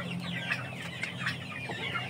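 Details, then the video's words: Chickens of the Aseel, Oshamo and Ganoi breeds: a quick series of high, sliding peeps, some tonal and ringing, over a low droning hum. "ayam aseel ayam oshamo ayam ganoi"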